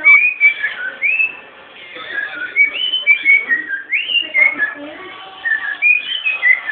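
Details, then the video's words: Pet cockatiel, bred in captivity, singing clear whistled notes with upward slides and quick trills, the phrases coming close together across the clip with only brief gaps between them. "Calopsita TEMPESTADE"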